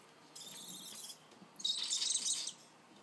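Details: Juvenile barn owl, fed together with a young African wood owl: a drawn-out airy hiss followed by a louder, rougher hissing burst lasting about a second.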